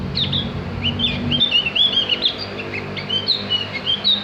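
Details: Javan grey-throated white-eye song meant for teaching cage birds to sing: lively, varied warbling of high rising and falling whistles, delivered in rapid, continuous phrases with faint low hum beneath.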